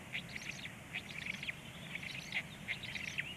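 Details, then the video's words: Black stork nestlings being fed around 19:13 give rapid clusters of harsh, squeaky chatter, several short bursts a second, against a low rural rumble. "melnais starkis chicks feeding"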